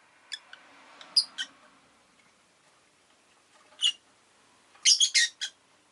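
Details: Pet rosy-faced lovebird giving short, sharp, high chirps spaced apart, ending in a rapid cluster of four or five shrill squawky notes; faint low background hum underneath.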